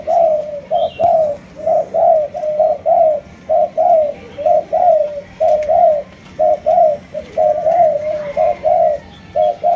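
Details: Kept Malaysian spotted dove coos in a regular, rhythmic series of short hollow hoots, roughly one per second, clear and loud over a quiet room.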